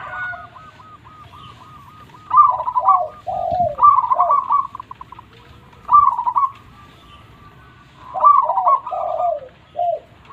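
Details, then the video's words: Local-type zebra dove in full, loud song: quick staccato ticking notes near one pitch run into soft, rolling, falling coos, phrases coming in bursts about every two to three seconds over a faint low hum. "Perkutut Lokal Gacor Suara Super besar"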